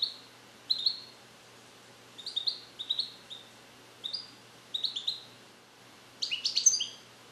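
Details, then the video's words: Male European goldfinch born in captivity in the USA in 2021, trained on Neapolitan song passages and starting to repeat them, isolated in a carrier: short bright twittering bursts roughly every second, ending in a fuller tinkling flourish. "Cardellino Passata Napoletana 2021 - European Goldfinch - Jilguero cante limpio"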